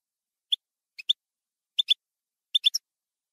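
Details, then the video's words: European goldfinch, campero song style, 2020/2021 recording: sparse, sharp high chips given singly and in pairs or threes, roughly once a second, in an otherwise silent background. "NUEVO CD JILGUERO CAMPERO 2020/2021"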